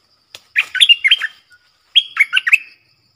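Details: Streak-eared bulbul decoy bird with a new song, used to lure wild birds and to train young birds; two bubbly, warbled phrases of quick liquid notes about a second apart, on a quiet background.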